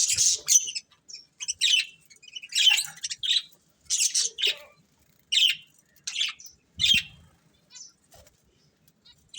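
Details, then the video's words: Budgerigars of a breeding pair chirping in a string of clipped, buzzy, high notes and squawks, each burst short and spaced by brief silences. "Cute Budgies Chirping Sounds | Love Birds Breeding Pair"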